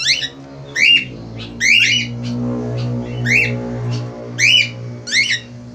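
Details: Eagerly calling male Australian finch giving six rasping, downward-sliding squawks at uneven intervals, with a steady low droning hum running underneath throughout.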